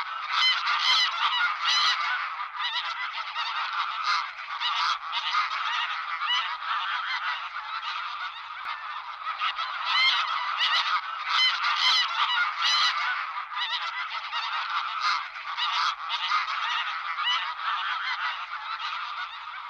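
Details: A flock of greylag geese (Anser anser) honking and cackling continuously in loud, overlapping calls, recorded in Iceland in June–July 2015.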